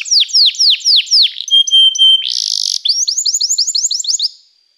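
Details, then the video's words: Continuous canary song: loud downslurred whistles repeated about four per second, a short piping series, a harsh buzzy burst, then quick rising-falling notes in a rapid row. "toque imediatamente este encantador som de canário"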